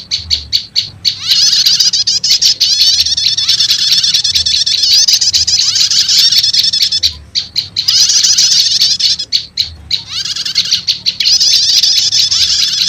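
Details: Combined prenjak lumut and prenjak setater lure recording used by bird catchers to attract wild prenjak lumut; steady high, buzzy trilling chatter punctuated by short runs of rapid sharp chips.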